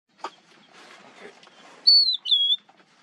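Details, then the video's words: A singing lark gives soft scratchy twittering, then two bright, slightly falling whistled notes near the end; faint background rustle. "singing lark"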